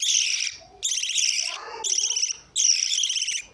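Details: Lovebirds calling with long, grating, high-pitched screeches in four bursts, interspersed with lower chattering notes.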